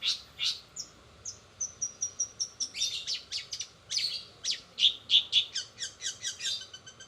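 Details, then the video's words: Fast-rolling long-tailed shrike song with mimicked sparrow, sogon and canary phrases: varied chips, a thin repeated high ticking series, then bright emphatic notes and quick trills. "cendet rol spid"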